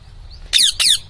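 An Indian ringneck parakeet gives two quick, harsh, high squawks, each falling slightly in pitch, with a faint low room hum behind.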